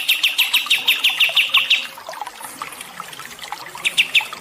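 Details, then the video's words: Bird song for stressed songbirds with water therapy: a two-second run of sharp high chirps, then scattered soft twitters over trickling water, and a few chirps again at the end. "TERAPI AIR DAN MASTERAN BURUNG SETRES"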